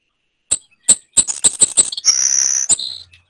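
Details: Savannah Sparrow, a bird of open grassland, hay fields and meadows, singing on territory: several very high, thin chips, then a hissing, insect-like buzzy trill ending in a lower buzz. No other sounds.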